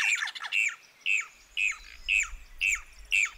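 Brown Cacholote giving loud, harsh squawking notes, about two per second, each falling sharply in pitch; a faint low rumble underneath.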